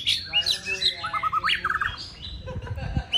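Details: Contest-trained white-rumped shama rehearsing spaced practice to grow bolder: a varied run of quick stepped notes, short trills and a sharp rising whistle, delivered fast with brief pauses and faint background knocks.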